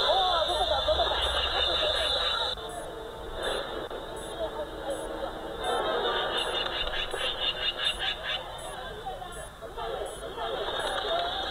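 A magpie gives harsh, rasping chatter in rapid bursts, about two or three a second. A steady high background hum runs beneath it.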